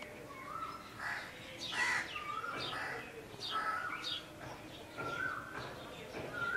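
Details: A female purple sunbird in Lahore Cantonment, Pakistan, gives short, clear whistled notes, some flat and some sliding, about once a second, over rough background noise.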